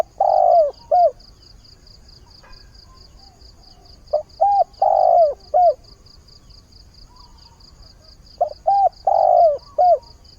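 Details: Morning mate-seeking call of a caged decoy spotted dove: the end of one phrase, then two complete low coo sequences about four seconds apart, each with short notes around a long falling coo. A faint regular high pulsing runs throughout.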